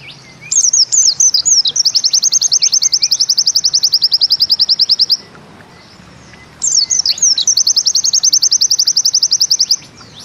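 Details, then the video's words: Two full 'Bustomi' style songs from a white-eye, separated by a pause. Each opens with looping high notes and then runs into a fast, machine-like trill of repeated chips, the 'nembak ziperrr'. "Bustomi NEmbak Ziperrr Mudah DI Tiru"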